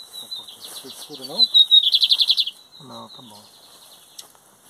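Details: Lined seedeater in a 2023 song competition, metálico versus torneiro styles: a loud, high pulsing trill of about a dozen quick notes, over a thin sustained whistle, with men talking underneath.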